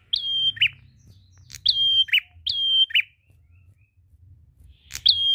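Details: Prinia singing in the long-drawn ngalun style, used to lure other birds into song: a short rising note, a level high whistle, then a buzzy lower note, repeated four times with pauses. Faint low hum underneath.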